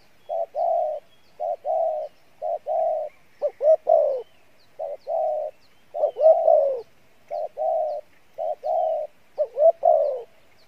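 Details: Spotted dove of the field type singing the mixed 'Bai Loi' style: runs of deep, hoarse paired coos, broken up by swooping rising double notes that lead into louder, longer falling coos, with a faint chirp.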